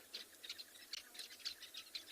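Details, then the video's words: Sociable weavers at their nest in a South African reserve on an afternoon in February 2021, alarming dramatically at a pygmy falcon in the nest, give a busy, continuous overlapping chorus of sharp, high chirps, several every second. "so there's quite a lot of sounds happening and it's the sociable weavers which is obviously the owners of this nest"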